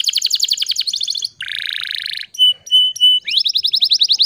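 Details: Lively canary singing in the gacor style, used as a pancingan to coax silent canaries into song: fast high buzzy rattling trill, a long dense buzz, three clear level whistled notes, then a rising rapid trill.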